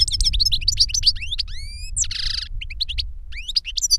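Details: Rapid European goldfinch song from a caged adult teacher and young learner: quick chirps, a series of long rising whistles, a dense buzzy rattle, then more fast twittering.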